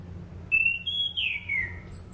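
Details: Sunda pied fantail song, played as a lure for training birds. Clear whistles step up in pitch, then a slurred note glides downward, ending in a faint high whistle.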